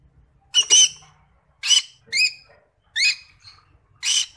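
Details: A creamino-colour Rosy-faced Lovebird (Agapornis roseicollis) "singing" gives five shrill, scratchy squawks about a second apart, some with quick rising squeaks, against a quiet background.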